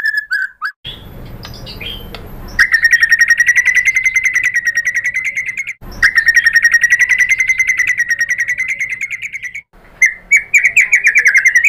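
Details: A white-rumped shama's lure song: two long, rapid, steady trills on one pitch separated by short breaks, with a few slurred whistles at the start and end.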